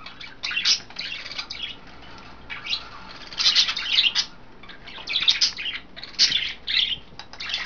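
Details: Pet budgerigars, three females among a flock of five kept indoors, bathing in vegetables and a water dish; bursts of harsh, scratchy chirps and warbles come in irregular clusters with quiet gaps between them.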